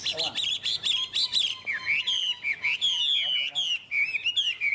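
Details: Chinese hwamei held as a cage bird in Vietnam, singing a rich, high-pitched torrent of warbled whistles, quick trills and looping slurs in short, closely spaced bursts.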